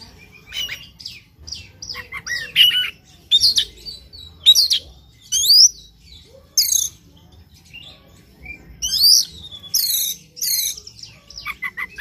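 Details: In a morning lure recording for kept birds, an Oriental magpie-robin pours out a long varied song of rapid, sweeping high whistles and twisting phrases, roughly one burst a second, with short pauses between.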